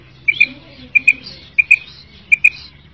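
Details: Female common quail call used as a hunting lure in Pakistan: short, sharp paired notes, high and clipped, repeated about every two-thirds of a second over a faint low hum.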